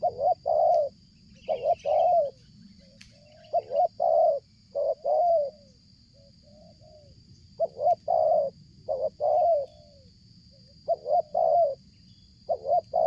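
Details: Spotted dove cooing without pause as it comes closer from a distance, used for luring; about eight repeated phrases of stuttered double notes and a drawn-out coo, with low background rumble and a steady high whine.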